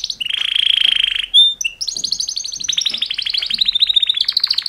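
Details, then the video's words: Male canaries singing a mating song: a steady high buzzy trill, a brief loud note, then long rapid trilled runs that slowly fall and rise in pitch. "Super Two Males Canary Mating Call Songs"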